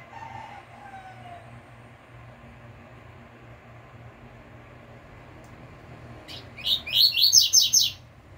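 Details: Double-collared seedeater singing the pure 'tui tui fibra' song style, recorded as a tutor for caged birds. After six quiet seconds with faint low whistles, a loud burst of bright, high, rapid notes ends in a quick run of repeated chips.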